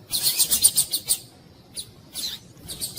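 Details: Double-collared seedeater, a caged bird, with a female calling to excite the male: rapid series of high, buzzy notes for about a second, then short high bursts after pauses.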